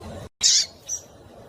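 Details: Female double-collared seedeater in breeding condition calling to stimulate males: one short, very high, hissy chip, then a fainter high note about half a second later, over low background hum.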